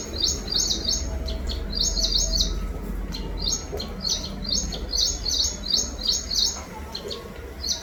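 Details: Chirping birds giving rapid clusters of sharp, high-pitched tweets in irregular bursts, with low rumbling background noise throughout.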